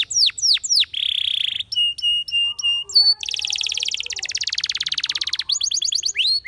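A Spanish Timbrado canary sings fast, varied phrases: sweeping down-slurred whistles, a bright steady trill, metallic chips and rapid rolling tours, all high and loud.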